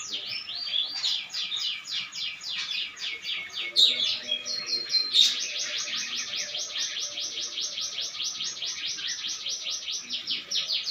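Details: Canary in full, vigorous song: long runs of rapid, high, rolling trills and chattering notes pour out almost without pause, with brief whistled accents, over a faint low background.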